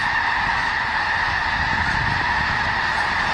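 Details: Thousands of snow geese gathered for winter in Skagit Valley, a dense, unbroken chorus of overlapping honks and yelps from the whole flock, with no pauses between calls.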